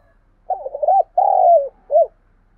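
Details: Spotted dove giving a call used to lure wild doves: a low, hollow coo phrase of a quick wavering double note, a long drawn-out croon that slides down, and a short closing coo.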